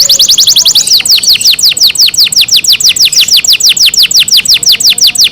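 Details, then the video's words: Kept canary delivering a steady, even trill of high downward-swept notes, roughly six per second, after a brief faster run at the start. "canary Nice sound"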